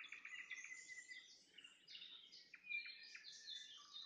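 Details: Nightingale song at sunset with a run of even repeated notes, then varied sweeping whistles and sharp downward slurs; faint insect-like hiss sits beneath the phrases.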